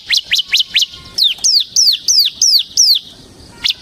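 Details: Bar-winged prinia used as a lure and tutor for cage birds: four quick rising chips, then a run of five longer notes sliding down from high pitch, and a final rising chip.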